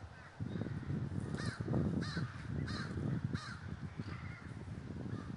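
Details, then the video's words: Crows assembling in a flock in Davis, California, calling in regular harsh caws about every three-quarters of a second over constant low-frequency rumble. "The Great Gathering of Crows III"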